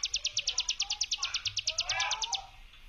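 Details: Hill prinia 'brem' lure song, a quick run of about twenty crisp buzzy pulses ending abruptly, with soft lower chirps from other birds behind.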